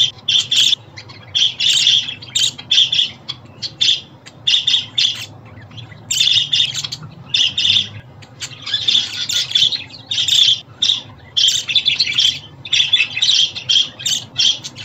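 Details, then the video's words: Budgerigar calling meant to cheer a pet budgie and help new or young birds get used to home: dense runs of harsh chirps and squawks, clustered in bursts with brief gaps. "Muhabbet Kuşu Sesi, Kuş Sesi! Muhabbet kuşu ötüşü, muhabbet kuşu çağırma sesleri!"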